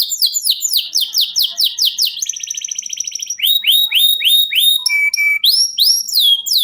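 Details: Domestic canary in extended 'ngerol' rolling song, a tutor for competition songbirds: rapid downslurred notes, a buzzy rattle, then loud rising upsweeps with a short level whistle between them.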